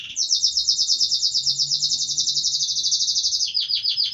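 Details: Canary delivering a long, loud, rapid rolling trill lasting over three seconds, ending with several quick descending chirped notes.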